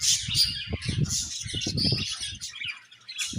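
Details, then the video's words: Continuous high, warbling budgie chirps run over a bed of low, rapid fluttering or rustling sounds that pulse throughout. "Budgies Chirping Sounds"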